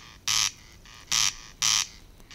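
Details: A Corncrake in the water-meadows and coastal pastures of Matsalu, recorded in a 1979 field recording, gives harsh, rasping, buzzy notes, each about a quarter-second long, repeated irregularly against a faint background hiss.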